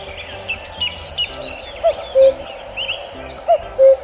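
Asian koel giving two mellow two-note calls, a short rising note then a lower held one, about one and a half seconds apart, over soft chatter of other birds.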